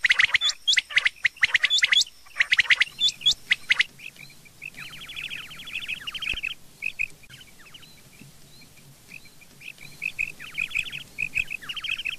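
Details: Rain quail calling at morning: a burst of loud, sharp chirps from other birds first, then rapid falling trills and clipped doubled notes from the quail against quiet outdoor noise.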